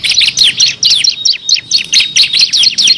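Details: Bar-winged prinia (ciblek kristal) tutor song for competition birds: loud, energetic high chirps and twisting notes in rapid clusters, repeated several times each second.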